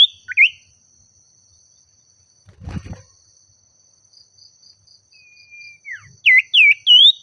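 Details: Common iora calling a rival: a couple of quick whistled notes at the start, a dull knock, a thin flat whistle, then three bright rising whistles at the end over a constant high tone.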